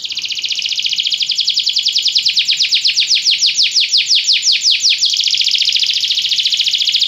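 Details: A Belgian canary's song, loud and close: a long rapid rolling trill of sweeping high notes, about three per second, which speeds into a dense continuous buzzy roll after a short break.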